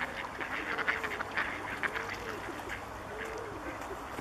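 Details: Bewick's swans at České Budějovice, Czech Republic, in February 2014 give soft, rising-and-falling honks about twice a second over a busy background of crackly flock chatter.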